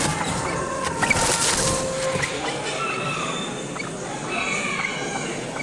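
A golden pheasant gives short, harsh, clucking calls in quick succession, partly masked by steady broadband background noise.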